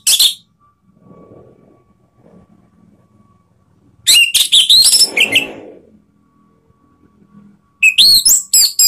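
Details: Rival-provoking song of an Orange-headed thrush: a sharp opening note, then a quick jumble of high twittering and whistled notes with a scratchy lower burst, and a final run of sweeping whistles.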